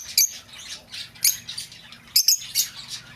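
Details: Lovebird, recorded as a sound for luring back an escaped pet bird: a few sharp, high chirps scattered over a soft hiss, with separate squeaks standing out at the start, middle and end.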